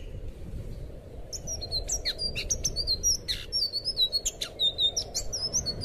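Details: Blue thrush song recorded to train caged birds: opens quietly, then a fast chattering sequence of high clear whistles and short chips grows louder and continues to the end, with a constant low hum.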